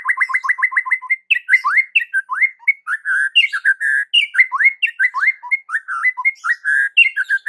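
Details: White-rumped shama song played to stir other shamas into singing: a rapid string of repeated rising whistles, then a long varied sequence of slurred whistles, sweeps and chirps without pause.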